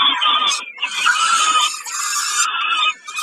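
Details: Peregrine falcons calling at Kawęczyn over a snack on 20 May 2022: grating, drawn-out screeches running almost continuously, with a brief dip near the end.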